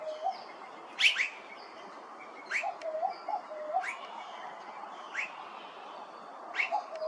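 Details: Immature Blue-faced Honeyeater, Hervey Bay, Queensland: sharp rising squeaks repeated roughly every second or so, one louder at the start, over a steady soft dove cooing.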